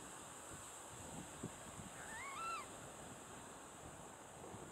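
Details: Water rail calling from vegetation along a dike in the Peizermaden, De Onlanden, in November 2012: one short, clear squealing note that rises and then drops, heard against a steady rush of wind.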